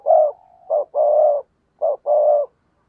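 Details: Spotted dove cooing in the 'thúc gù' style, used to provoke wild birds into answering. A held coo trails off, then two paired phrases follow, each a short clipped note and a longer, steady, mellow coo.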